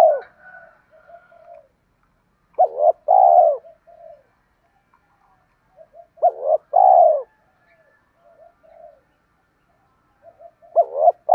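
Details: Spotted doves, male and female, coo for dove training: loud double-hoot-and-long-coo phrases recur about every four seconds. Softer, lower coos fill the gaps between them.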